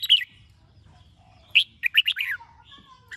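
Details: Red-whiskered bulbul in morning song meant to spur other birds to sing. One sharp note, a pause, then a quick warbled phrase of about six whistled notes that dips downward at its close.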